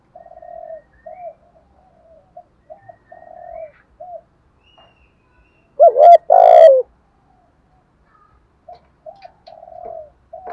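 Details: Decoy spotted dove luring other doves. Faint low coos run through the recording, broken midway by one loud phrase: a short hoot and a long falling coo. Fainter coos return afterward.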